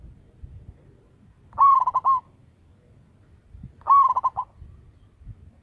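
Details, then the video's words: Loud local zebra dove used as a decoy to lure other doves. It gives two rolling coos about two seconds apart, each a rising note that breaks into rapid bubbling pulses and ends on a steady tone. Soft low background noise. "Perkutut lokal gacor suara besar - BIANG PEMIKAT"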